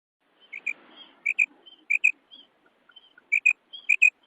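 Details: Common quail (Coturnix coturnix), female call.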